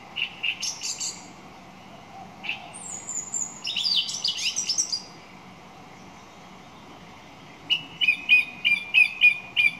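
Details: Song thrush singing: varied bright phrases high in pitch, a fast rising-falling trill near the middle, then a short note repeated about seven times in quick succession at the end; a steady faint hum underneath.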